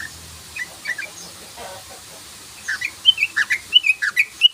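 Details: Sooty-headed bulbul lure call in 'ropel' style: a few scattered soft chirps, then a quick string of loud, clear, slurred notes at roughly eight per second. A faint hiss sits in the background.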